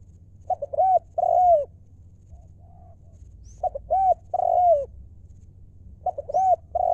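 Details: Wild spotted dove from Thailand, a ground decoy bird singing in the lio mor lam style: three phrases of short clipped coos, each ending in a longer falling coo, spaced about three seconds apart over a low steady hum.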